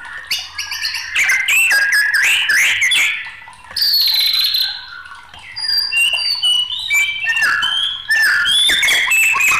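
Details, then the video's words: Loud, rich song from an agitated white-rumped shama, a tumbling mix of chirps, slurred whistles and scratchy notes in long phrases with only brief pauses. "SUARA MURAI BATU NG4MUKK"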